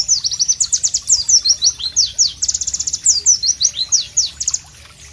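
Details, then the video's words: Pleci white-eye singing a loud, sharp, melodious masteran song of quick high whistled slurs and trills, closely packed, ending in quiet ambience. "Masteran Pleci Bird Sounds Loud, Sharp and Melodious"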